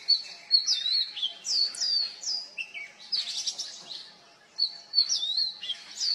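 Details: Oriental magpie-robin (Copsychus saularis) singing with vocal mimicry of other species such as juvenile Black-naped Oriole and Black Drongo, used to attract mates and defend territory; varied slurred whistles, rising and falling, with a harsh churr in the middle.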